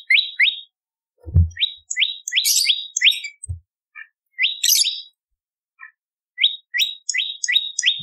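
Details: Bar-winged prinia song offered as a master track for training songbirds: irregular clusters of sharp upward chips and twitters separated by gaps, with a few dull low knocks in between.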